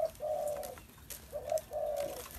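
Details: Spotted dove giving low hooting coos: a brief note running into a drawn-out coo, then a pause and a similar two-part phrase again.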